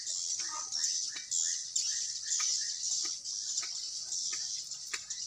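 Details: Swiftlets in a building in Sibolga, Indonesia, with a growing population: a constant thin high chatter with brief squeaky chirps and sharp clicks repeated at about two per second.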